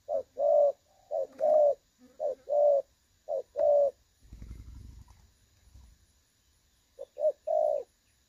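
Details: Spotted dove, 'đồng son' style call used to lure birds into traps, 16/8/2024: mellow low coos in short-long pairs, interrupted midway by a soft rustling noise, then resuming.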